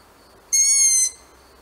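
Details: A single barn owl call: one loud, high, even tone with strong overtones, held for about half a second and then cut off sharply, in otherwise quiet surroundings.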